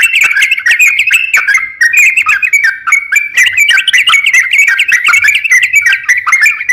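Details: Training master song of a crocok-cokan: a lively, unbroken stream of quick chirps and slurred whistles with crisp clicking notes and occasional brief pauses, steady and loud throughout.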